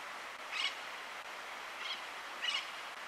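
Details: Austral parakeet (Enicognathus f. ferrugineus) in Tierra del Fuego National Park, Argentina, in March, giving three brief, harsh, high-pitched screechy notes spaced over about two seconds, against a steady background hiss.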